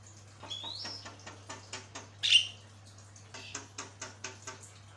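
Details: Jalak kebo singing: a rising whistle followed by fast dry ticking notes, one loud squeaky burst in the middle, then more clicking chatter; faint constant hum beneath.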